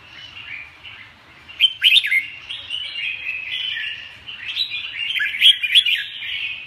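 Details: Red-whiskered bulbul pouring out a fluid warbling song broken by loud, sharp whistled accents near two seconds and again around five to six seconds, over a faint low hum.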